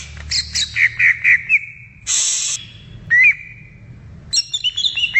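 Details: Greater green leafbird in the wild repeating a steady whistled note about five times, a loud hiss, a single slurred whistle, then a quick complex phrase of higher notes.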